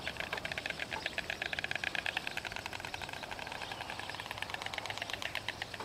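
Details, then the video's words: A pair of white storks greeting each other at their nest site in Extremadura, Spain, with a bill-clacking display: a fast, dry, wooden rattle like a machine gun, running almost unbroken for several seconds over a faint low hum. "White Storks Bill Clacking Display"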